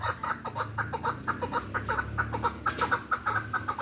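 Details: Repeated chuck calls from a tame hybrid chukar partridge: a continuous, slightly uneven string of sharp clucks at about two to three per second, with faint background noise.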